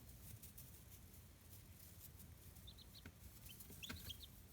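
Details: Young chicks of free-range local chickens kept in a homemade brooder box on a small farm in Kitahiroshima, Hiroshima Prefecture, Japan; short high peeps come in a quick cluster near the end over a steady low hum.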